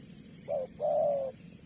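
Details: Spotted dove (tekukur) cooing, used to lure doves for trapping: a brief low hoot followed by a longer, smooth, slightly falling coo.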